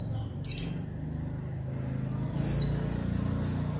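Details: A young captive female white-eye calls 'chíu' to draw wild-caught birds into song; two quick high notes, then a longer falling whistle, over a steady low hum and background noise.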